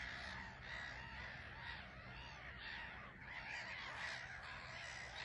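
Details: Busy colony of black-headed gulls on a small island at Frampton Marsh; dense layers of grating, nasal cries overlap throughout, a constant din of many birds calling at once.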